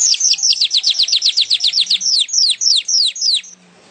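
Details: Singing weaver (manyar), recorded for training songbirds: a steady series of about twenty high, downward-sweeping whistled notes, quick at first and then slowing and spacing out before stopping.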